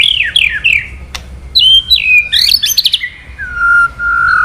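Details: White-rumped shama male roused to sing by 'kretekan' crackling sounds: three falling whistles, a click, then rapid twisting whistled phrases ending in lower, drawn-out whistles.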